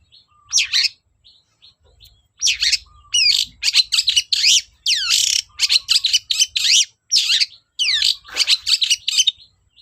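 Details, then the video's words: Long-tailed shrike in full, loud song meant to lure silent shrikes into singing: dense, rapid scratchy chatter of tightly packed harsh notes in long bursts, over a faint low rumble. "BURUNG CENDET GACOR DOR PANCINGAN AMPUH CENDET SUSAH BUNYI"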